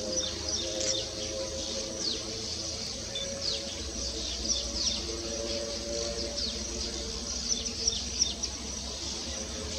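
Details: A male Baya weaver singing while building its nest: rapid, high, scratchy chirps and short sputtering notes, overlapping almost nonstop, over a low, steady droning hum.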